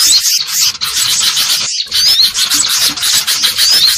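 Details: Agitated greater green leafbird racket, used to lure birds: a nonstop, rasping wall of high, buzzy chatter. Short upward-swooping whistles cut through it now and then, and a couple of sudden brief breaks interrupt the clamour.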